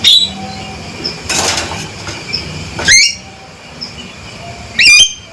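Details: Male Javan myna giving two loud, upward-sweeping ringing calls about two seconds apart, with a burst of broad rustling noise before them and quiet hiss between.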